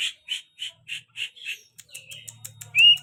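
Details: A very tame greater green leafbird gives about six harsh, squawking notes at an even pace. It follows them with thin ticks, a short whistle and a loud rising whistled note at the end. A low hum runs underneath.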